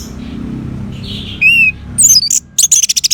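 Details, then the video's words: Orange-headed thrush: after faint warbling over a low hum, a clear whistled note is followed by a sharp, rapid series of high, loud notes repeated quickly to the end. "Suara ANIS MERAH"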